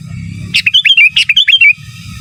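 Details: Sooty-headed bulbul master song in giras and menggaruda style: one dense burst of sharp clicks and fast rising-falling whistled loops lasting over a second, bracketed by low rumbling noise.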